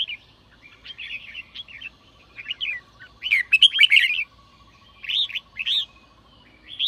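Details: Red-whiskered bulbul in sổ bọng song, meant to rouse newly caught birds to sing: scattered warbled phrases, a loud rich burst in the middle, then clear rising-falling whistled notes over a faint steady hum.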